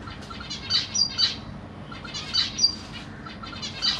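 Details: Zebra finches, Black Cheek, in a big cage with parents feeding juvenile and newly fledged babies, June 2023; paired nasal chirps in small groups with brief pauses between them.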